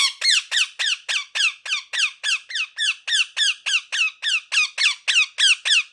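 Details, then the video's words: Parrot, a pet ringneck, giving a steady run of about twenty sharp downslurred squawks, roughly three per second, loud and evenly spaced, in a quiet indoor room. "Parrot Chirping Sounds | Natural Parrot Sounds | Parrot Calling Sounds"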